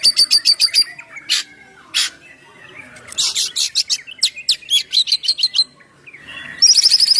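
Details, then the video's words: Oriental magpie-robin (kacer) ngeplong song for luring and prompting birds to sing: fast, thin high trills, loud harsh bursts, then a series of rhythmic whistled notes and a final high rattling trill. "suara Kacer ngeplong"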